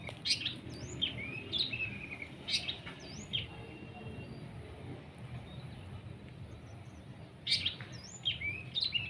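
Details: During sunning and spraying with water, a long-tailed shrike delivers clusters of shrill chirps and curling whistles, with a quiet pause in the middle before another burst of varied notes.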